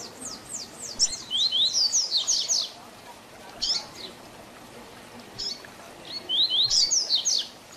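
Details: Tui Tui Zel Zel song of a double-collared seedeater, played as a teaching song for young birds. A few high strokes lead into a rapid run of about eight swept whistles, then isolated notes and a second quick burst near the end.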